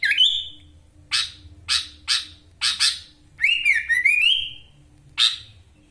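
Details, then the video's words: Wonosalam, East Java: caged sooty-headed bulbul opening with a rising whistle, then a series of harsh chacks about half a second apart, a chattering ascending trill, and one final chack; faint low hum behind. "Kutilang gacor full isian Ngekek LB ngotot suara tembus"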